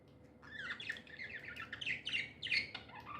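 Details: Budgerigars described as happy, chirping in a series of bright warbling notes with rising and falling sweeps, steady for three seconds after a quiet start; faint low hum underneath.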